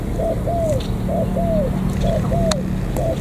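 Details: Wild-caught spotted dove from the border gate area of An Giang, Vietnam, giving soft low coos in paired, arching notes, the phrase repeated about every second, over a steady low background hum.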